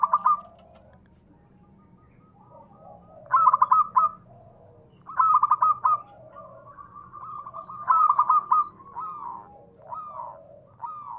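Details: Local zebra dove in full voice, a recording used to lure other doves into answering: loud stuttered bursts of mellow coos recur every few seconds, linked by softer rolling trills, over a quiet low hum.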